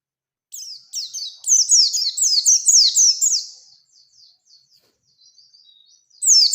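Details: Bustomi Oriental white-eye searching for a rival with energetic 'ngalas ngerol' song. Short high chips build into a fast, tumbling run of descending notes. Faint soft twitters trail off before a new loud burst begins.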